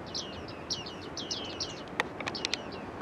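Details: Autumn flock of bearded tits at Newport Wetlands; a run of quick downward-sweeping pings, then a sharp click and several short high ticks, with steady low background noise.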